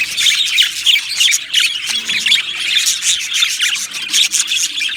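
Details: Budgerigar colony in an aviary, Australian parrots singing and chirping together: busy high-pitched warbles and scratchy squawks in rapid overlapping bursts, with loudness rising and falling every half second or so.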